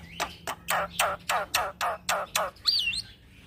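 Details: Rolling song of a young black-winged myna, used as a training lure for other birds: seven harsh, rasping notes repeated about every quarter second, then a looping high whistle.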